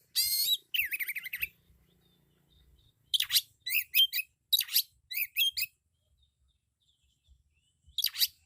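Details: Oriental magpie-robin in loud, isian-filled song: a harsh buzzy note and a rolling trill, then spaced bursts of crisp chirping notes separated by silences.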